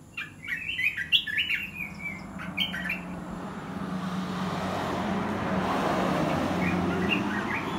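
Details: Caged red-whiskered bulbul giving a dok taeng and ta daeng mixed song: a quick run of bright chirpy whistled notes in the first seconds, after which rising broad rushing noise, like a passing vehicle, drowns everything.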